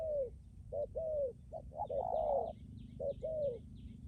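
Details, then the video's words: Strong-cooing decoy spotted dove, Lâm Đồng, Vietnam: soft, low paired coos, one stretch louder and overlapping, while thin high chirps from another bird repeat quickly in the background. "cu gáy mồi cứng gù hậu bền"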